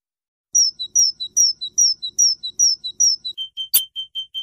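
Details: European goldfinch singing a repeated two-part whistle, a high clear note dropping to a lower one, about a dozen times, then a sharp click and a string of lower even chirps.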